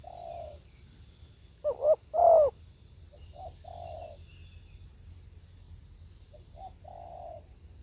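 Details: Spotted dove calling live: a soft low coo, then a loud double coo, then several quieter drawn-out coos spaced a second or so apart.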